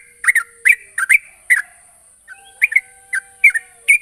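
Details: Calling to provoke a rival, a sooty-headed bulbul gives clipped chirps in small bursts, pausing briefly mid-sequence before resuming, while a faint low whistle-like tone and high hiss run behind.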